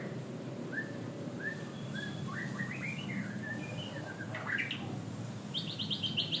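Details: White-rumped shama song: spaced, short rising whistles that quicken into a rapid rising run, ending in a fast repeated string of high whistled notes, over a low hum.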